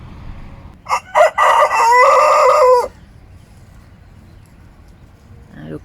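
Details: A young Coucou de Malines rooster, nearly five months old and just starting to crow, gives a short, unpolished crow while being introduced to a coop of hens: two choppy notes, then a strained, abruptly ending cry.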